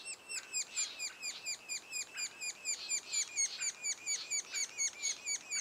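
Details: Sapsucker nest two days before first fledge: young birds give a regular pulse of harsh, falling, buzzy notes a little over twice per second, with overlapping calls from several chicks.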